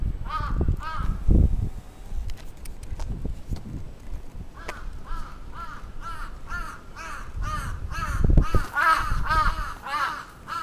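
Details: Crow attacking, recorded 27 June 2017 in Atsubetsu Ward, Sapporo: harsh arched caws, a pair near the start and then a long run of repeated caws toward the end, with low rumbling thumps and handling noise underneath.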